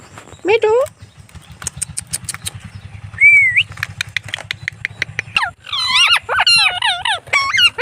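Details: Blue pet Indian ringneck parrot out on an evening walk, giving short harmonic, wavering calls: one rising note, a bent whistle, then a fast run of chattering, warbled phrases near the end, over a steady low engine idling rumble.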